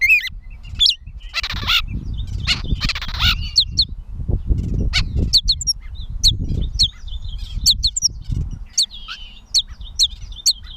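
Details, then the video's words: Gray catbird in Bowdoinham, Maine, on 16 May 2020: varied jumbled phrases of high chirps, squeaky notes and short slurred whistles, loosely spaced, over a steady low rumble of background noise. "The many sounds of the Catbird"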